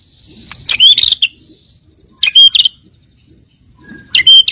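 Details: White-rumped shama song used to lure and provoke rival birds: a thin high whistle, then three loud bursts of sharp high chips and clear whistled notes, separated by quiet pauses.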